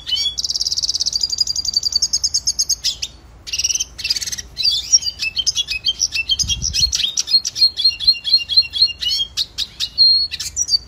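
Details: Red siskin (Spinus cucullatus) training song, a long, varied high-pitched warble opening with a buzzy trill, then rapid twitters and chattering notes repeated quickly, with short whistled slurs near the end.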